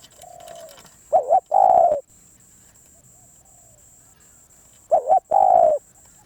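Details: Wild Spotted dove gives two strong coo phrases about four seconds apart. Each is a bubbling two-part note leading into a long, husky, level coo. A soft, low, descending whistle comes before and between them, with a constant high-pitched whine.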